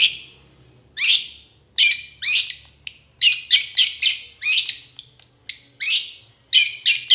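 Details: Long-tailed shrike chatter serving as a lure to set silent shrikes singing: a rapid run of loud, rough, scratchy bursts, some separated by short gaps, with a few thin whistled notes woven in.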